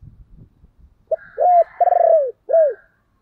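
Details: Captive spotted dove used as a decoy, calling: low rumbling noises at first, then one loud phrase of a clipped note, an arched coo, a stuttering long coo sliding downward, and a short curved coo.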